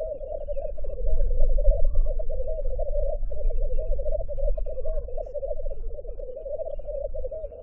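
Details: Black grouse (Lyrurus tetrix), call.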